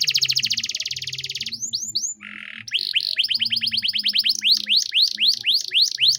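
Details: Cengkok mewah canary song used to tutor young songbirds. A rapid buzzing trill, a few swoops and a harsh buzz lead to a quick series of rising-and-falling notes. Wider looping whistles close it, over a soft low hum.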